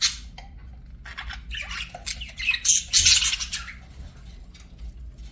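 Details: Pet budgies singing and chirping, with scattered high chirps early, then a burst of dense, scratchy warbling in the middle before settling to softer twitters; low background hum throughout.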